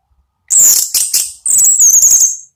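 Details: Orange-headed thrush delivering ngeplong song as a lure: very high, thin, piercing notes in clustered bursts, ending with a fast series of shrill repeated whistles over about two seconds.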